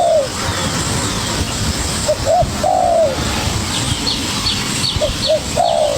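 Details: ['Young wild spotted dove responding energetically to a decoy: drawn falling coo, then short coos and a long wavering coo, repeated; faint high chirps of small birds in the background.']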